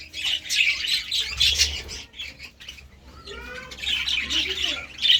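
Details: Budgerigars eating seeds and vegetables give two spells of scratchy, squawky warbling separated by softer whistled notes and a quieter stretch.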